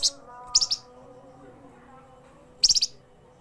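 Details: Short clusters of two to four quick, high chirps from a flamboyan bird, said to be vocal day and night, separated by long pauses filled by a low continuous hum.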